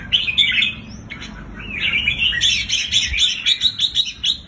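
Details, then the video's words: Red-whiskered bulbuls singing, played to make caged bulbuls excited: lively warbling that builds into fast, sharply repeated chirps about four per second, clear and loud over a quiet low hum. "เสียงนกจุกริก เปิดให้นกที่บ้านคึก"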